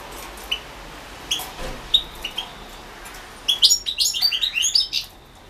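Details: European goldfinch singing in a 2016 world championship of goldfinch song held over the internet, Carduelis Balcanica. Scattered high chirps lead into a dense burst of fast, bright twittering notes near the end.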